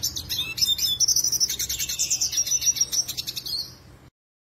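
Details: Black-headed siskin, a seed-eating collection bird in full song, used as a tutor for other birds. A rapid, high-pitched warbling twitter mixes sweet trills and chattering chirps for about four seconds before ending abruptly.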